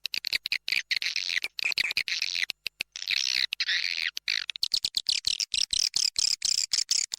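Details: Lure call of the Indonesian swiftlet for attracting the birds: dense, high, rattling chatter of fast clicks, with some bursts sliding down in pitch, delivered in irregular runs separated by short gaps.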